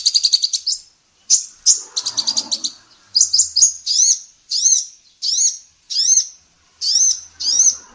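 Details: Training recording for songbirds of a female olive-backed sunbird singing actively: opens with quick high trills, then a string of clear up-slurred whistles repeated roughly every three-quarters of a second.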